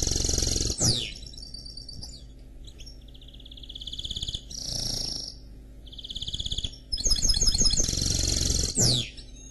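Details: Canary x goldfinch hybrid (mule) singing: fast buzzy trills and rapid repeated notes in separate phrases, with sweeping downslurred whistles between them, over a constant low hum.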